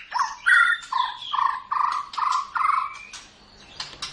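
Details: Champion white-rumped shama singing a steady series of rich, fairly low fluty notes, about six in a row at even spacing, some with a higher overtone whistle, fading into faint notes at the end.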